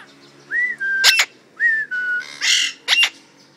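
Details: Talking parrots in a home: a clear whistled note rises and then holds steady, followed by sharp raspy squawks. The pattern repeats twice, ending in a broad hissing screech and two more squawks.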